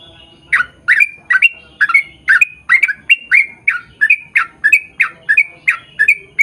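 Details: Yellow-vented bulbul in energetic long 'ropel panjang' song, used to draw same-species birds into answering: steady series of rich, gurgling two-part notes, roughly two or three each second, building and running without break.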